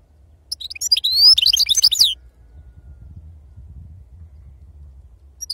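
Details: Brief Sarfati-style song burst from an authentic wild-type European goldfinch: a rising thin whistle and a tumble of liquid, twittering notes lasting about a second, followed by near silence with low background hum.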